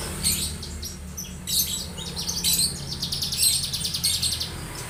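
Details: Song of a young Javan bush lark, a busy run of high twittering notes and buzzy trills in uneven bursts, over low background hum.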